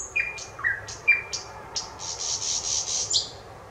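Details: A thrush nightingale sings, recorded 25 May 2021. Short whistled slurs and clicks lead into a rolling, rapid high rattle of evenly spaced pulses.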